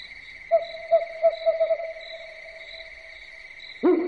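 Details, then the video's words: Owl calling at night: five or six short, hollow hoots on one low pitch, uneven and closely spaced, over a steady high insect drone, ending with a louder abrupt sound. "SUARA BURUNG HANTU MALAM HARI"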